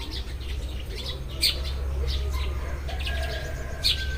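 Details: Several Eurasian tree sparrows chirping as morning arrives: short, bright, sharp chirps at irregular moments, with a few softer notes between them, over a constant low rumble.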